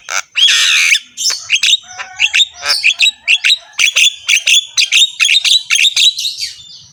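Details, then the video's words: A head-bobbing Javan myna sings with a rough voice. One long harsh squawk opens the phrase, then a fast run of short clicks and chirps follows at about two per second, high and sharp throughout. "BURUNG JALAK KEBO GACOR SUARA KASAR, MANGGUT-MANGGUT FULL ISIAN MEWAH"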